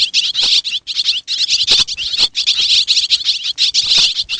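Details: A dense stream of shrill, rapid twittering comes from Xiangkhouang swiftlets in Laos. The notes run on with only a few very short gaps.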